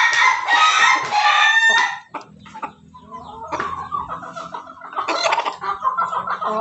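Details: Home-kept Ayam Ketawa rooster, bathed for longer crowing, opens with a loud, harsh two-second crow, followed by noisy rustling, a low hum and softer broken calls.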